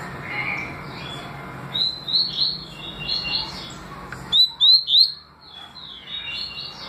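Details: Double-collared seedeater in tui tui and deputado song styles: soft warbling notes first, then three loud, clear upslurred whistles in a row, trailing into quieter twittering.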